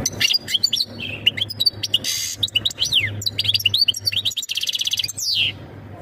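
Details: Mating call of a European goldfinch, sung to prepare the female for breeding: tinkling twitters, buzzy rattles and sweeping downslurred whistles, ending in a dry trill and a falling slur.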